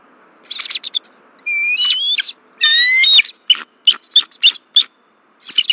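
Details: Bald eagle pair at their nest tree at Berry College, Rome, Georgia, on 1 February 2024, warning as an intruder flies over: high chittering note bursts mixed with longer rising, slurred whistles, then quick staccato peeps.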